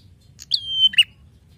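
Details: One phrase of a Prinia's song from a songbird training master: a brief high click leading into a sustained, slightly falling whistle that ends in a short lower burst.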